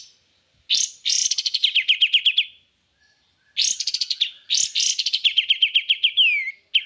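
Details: Kapas tembak, a white-eye, in lively full song: long rattling trills of rapid high notes descending gently in pitch, separated by short gaps, ending with a quick downward whistle.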